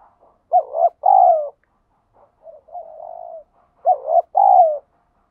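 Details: Wild spotted dove giving its insistent challenge coo outdoors: a doubled coo with a rolling second note, a softer drawn-out coo, then the doubled phrase again, mellow and mid-pitched in a quiet setting.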